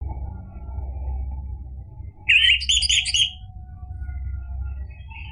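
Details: Orange-headed thrush in energetic song used as a lure to provoke other birds into answering, one brief burst of rich, rapid, warbled notes lasting about a second over a steady low hum.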